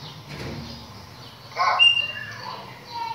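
A chopi blackbird gives a rich burst, then a few short clear whistles that step down in pitch, with a rustling, flapping noise in the background.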